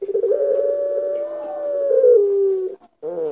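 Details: A Barbary dove of pelung type coos as a lure: one long, rough-edged coo held for nearly three seconds, gently rising then falling, followed after a short gap by a harmonic-rich wavering note.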